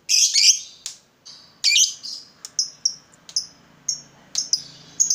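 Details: Lovebird calling in a long-trill ('ngekek') recording meant to stir silent birds into singing: sharp, high chirps and short bright notes in irregular bursts, with quiet gaps between them.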